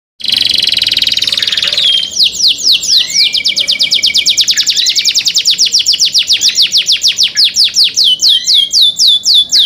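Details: Canary singing a cenkok-style song, recorded clearly: a dense buzzy trill held for about two seconds, then a long fast series of bright descending whistled sweeps, roughly four per second, steady to the end.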